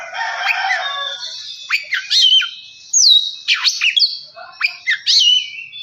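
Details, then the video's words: Oriental magpie-robin song used as a lure to make a kept bird sing and get worked up: a rough, buzzy opening followed by sharp whistled notes that sweep steeply downward, separated by short gaps. "Kacer males bunyi jadi gacor 🔥 pancingan Kacer biar cepat gacor dan emosi"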